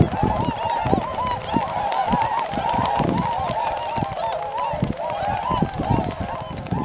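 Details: Tundra swans massing at Shiotsu-hama, Lake Biwa, Japan, in early March 2012 ahead of their northward migration; continuous chorus of bugling, wavering honks from many birds, with low thumps and background noise.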